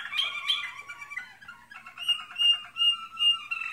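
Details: American Singer canary in training: a few sharp high chirps open into a rolling trill, then clear whistled notes repeated about every half second over a faint low hum.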